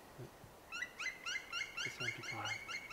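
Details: A Black Woodpecker in flight in an old fir forest in the Livradois-Forez mountains, France, gives its flight call: a quick series of about ten harsh, rolling, ringing notes, roughly four a second, from some distance, approaching. A faint low murmur comes first.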